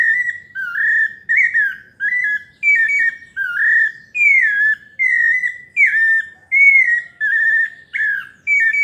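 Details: A pale-breasted thrush sings its melodious paulista song, a rapid string of short clear whistles, some rising and some falling, following one another almost without pause.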